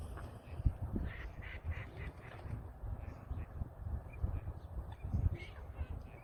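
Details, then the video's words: A group of ducks, some resting, give nasal quacks in quick runs of about two or three per second over a steady low rumble. "DUCKS MAKING SOUNDS"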